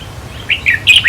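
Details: Red-whiskered bulbul song played to excite caged birds: a quick burst of bright, warbled whistled notes rising and falling, in short phrases, over a low steady hum.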